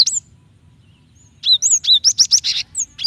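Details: Female cinereous tit calling a male to provoke song: an opening high note, then a fast run of high whistled and buzzy chirps, dense and rising in loudness before ending with a few separate notes.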